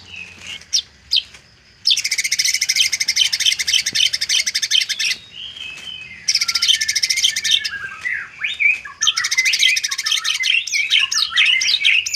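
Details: Isian-style white-rumped shama song in which long dense bursts of buzzy, rattling trills alternate with sliding whistles and quick runs of rising chirps, the rattles repeating in three blocks.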